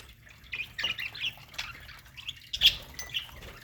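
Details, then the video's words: Budgerigar colony in an aviary: quick, scratchy chirps and warbling chatter in short overlapping bursts, with one sharper, louder squeak near the end, over a faint low background rumble. "budgie colony singing parakeet sounds"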